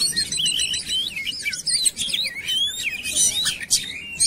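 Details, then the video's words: Lure track of Oriental magpie-robin singing to provoke song: smooth gliding whistles and wavy warbles, with a few long upward-sweeping notes near the end. "PANCINGAN KACER CEPAT GACOR"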